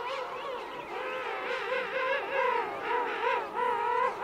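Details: King penguin adults trumpet in a rich, harmonic, wavering voice that rises and falls in quick pulses, with more voices blending in from a colony of adults and chicks at Right Whale Bay.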